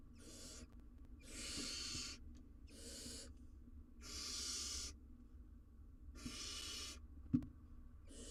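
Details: Barn owl owlet in the wild, on a live cam, trying to swallow a giant jird. Five loud, noisy hisses, each about half a second to a second long, come with short pauses between them. A sharp tap is heard near the end.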